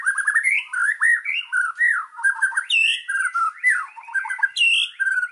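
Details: Continuous energetic white-rumped shama song for training birds, full of fill-in phrases: tumbling whistled warbles at mid pitch mixed with abrupt high, harsh notes every second or so.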